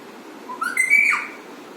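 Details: Pet alexandrine parrot producing a single drawn-out whistle. It climbs in steps, holds a bright level tone, then drops away sharply, lasting under a second. The room is otherwise quiet.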